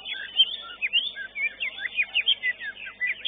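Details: Greater green leafbird in a singing contest: rapid, varied whistled song of short slurred notes and quick rising and falling phrases, delivered almost without pause, bright and high.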